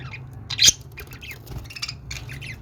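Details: Budgerigar chatter: soft, scattered high chirps and warbles with one brief sharper squeak, over a low steady hum.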